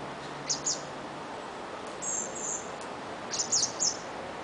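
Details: Fledged blackbird loudly squeaking hungry demands while following its mother: clusters of thin, high squeaks, a longer drawn squeal in the middle, against constant hiss.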